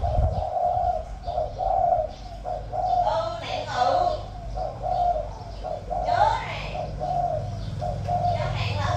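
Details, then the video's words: Decoy spotted dove in a cage, 'giọng thổ' voice style, cooing steadily in low rounded notes about once a second while a person's voice and a few brief sharp sounds break in partway through. "Cu Gáy | 100 | Mồi Lỡ | Giọng Thổ | Gù Tốt"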